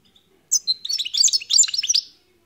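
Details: A wild-caught European goldfinch starts after half a second of quiet and delivers a short, dense burst of high twittering and chirps lasting about one and a half seconds.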